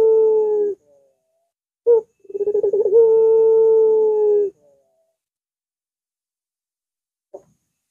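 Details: Long arching coo of a Barbary dove, kept for training and luring other doves: a steady low tone, a brief clipped note, then a rapid throbbing lead-in swelling into a sustained hum lasting about two seconds. Silence follows.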